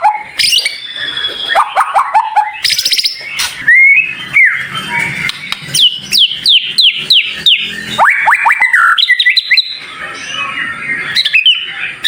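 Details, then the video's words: Fast, varied white-rumped shama song with dense, sharp, high fill, compiled to stimulate other shamas: downward-sweeping chips in rapid series, buzzy chatter and brief whistled phrases, with clicking pauses between. "Masteran Murai Batu cepat Buka Paruh | Suara Full Variasi Paling Dicari"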